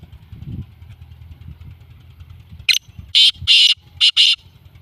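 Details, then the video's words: A black francolin gives a loud, harsh, grating phrase of five rasping notes, the first short and the later ones in two close pairs, over a low engine-like rumble. "کالا تیتر کی کیا ہی بات ہے بہت خوبصورت آواز"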